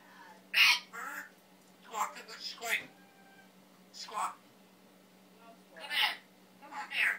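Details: A pet male Timneh African grey parrot, taught words and sounds including swearing, coughing and asking for water, produces speech-like syllables in short irregular bursts, some bright and whistled, over a faint room hum.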